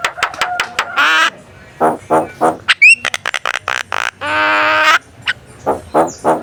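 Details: Javan myna prompting song for contest birds: clicks, grating squawks and long buzzy nasal drones, with a rising whistle in the middle.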